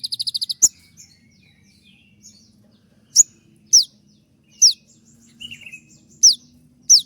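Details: A konin singing through its moult opens with a rapid run of clipped notes, then delivers loud steep falling 'tembakan' shot chirps roughly every half to one second, with a brief buzzy phrase between them.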